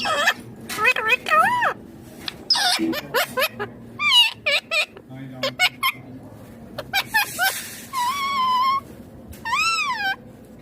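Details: Indian ringneck parakeet, a green pet parrot, talking indoors: a rapid run of wavering, speech-like syllables mixed with bright rising-and-falling whistles and sustained warbled notes, several bursts spread over ten seconds.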